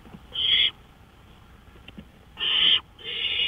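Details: Owl calling from a porch at 1:53 AM on May 5, 2013. Three coarse, breathy screeches, the last two close together, with light clicks in the gaps.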